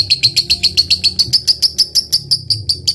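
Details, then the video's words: A lovebird's ngekek, played to bait a rival into answering: crisp, evenly spaced shrill chirps in quick succession, about three or four each second, bright and clear above a soft low rumble. "LOVE BIRD FIGHTER GACOR NGEKEK RAJIN,pancingan lovebird paling cepat di respon musuh"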